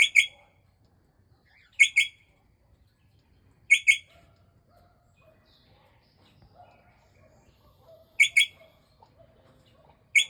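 Port Lincoln parrot giving loud, harsh double-note calls, each a quick two-part squawk, repeated at uneven intervals of about two to four seconds; otherwise quiet.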